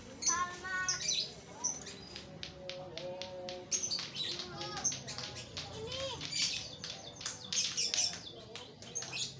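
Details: White-rumped shama singing a varied, rich stream of high whistles, sharp clicks and chattering notes, with a brief lower voice-like passage near the start over steady background hiss.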